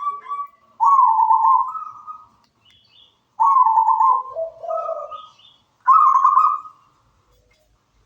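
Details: Local zebra dove singing steadily: three trilled cooing phrases about two and a half seconds apart, each bright trill followed by lower rolling notes and a slightly higher ending.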